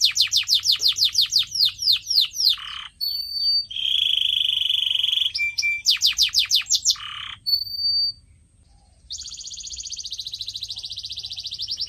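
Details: Caged-style canary song for training pet birds: fast strings of falling whistles, a harsh buzzy roll, a thin held whistle, repeated phrases, a brief pause, then a long rapid trill.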